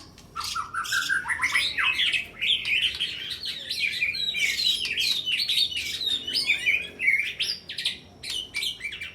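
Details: White-rumped shama, caged contest bird, singing in a fighting style, bowing low and pressing its rival, with sharp rapid phrases copied from small birds: a rising run of notes then dense varied whistles, chatters and slurred phrases, loud and almost continuous.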